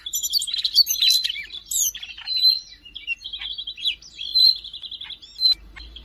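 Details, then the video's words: Siberian rubythroat recorded in Jakarta on 5 March 2025, pouring out repeated trilled runs around a steady pitch, interspersed with high squeaks and chips, over a soft low hum. "kicau burung siberian rubythroat gacor"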